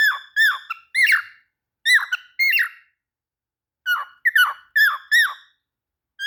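A cockatiel gives bursts of bright, harmonic chirps that rise and fall sharply, in quick clusters.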